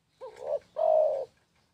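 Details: Clean spotted dove phrase against a quiet background: a twisting short note leads into a rising coo, then a drawn-out, steady, resonant final coo.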